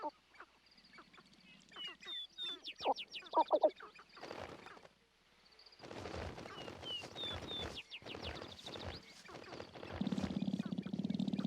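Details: Sharp-tailed Grouse cocks dance at a spring courtship lek at dawn to attract hens, giving a jumble of clucks, barking cackles and high squeaky notes, with bursts of rapid rattling and a low hum beneath.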